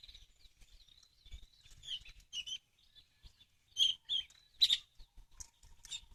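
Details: White-rumped shama singing as a lure for trapping birds: a string of high, sharp chirps and twittering notes. The notes come in uneven bursts, with louder clipped notes near the end.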